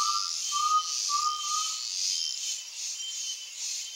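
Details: Sunset in the Brazilian backcountry: an undulated tinamou gives three brief rising whistles at the start, then only dense high insect sound continues.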